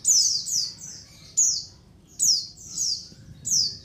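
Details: Colony calls of white-eyes, used as a lure for trapping, heard as high sharp downslurred chirps in clusters of two or three, about every second, with brief pauses between bursts.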